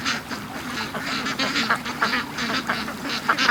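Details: Morning release of a duck flock from its pen, birds hurrying toward the lake; continuous overlapping nasal quacks pulse rapidly, several calls a second, rising and falling in a busy chorus.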